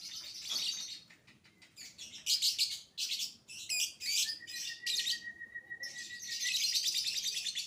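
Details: Young lovebird lure song in the 'biola' manner: choppy bursts of harsh high chirping, then a drawn-out pure whistle held steady for about two seconds beneath the chatter, closing in a rapid buzzy trill.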